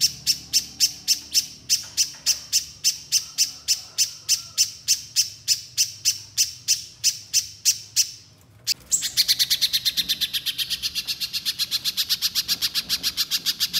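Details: Loud 'gacor nembak' little spiderhunter, meant to get untrained birds calling quickly: a long run of about thirty sharp high chips, a brief gap, then a faster, buzzier stream of rapid high notes.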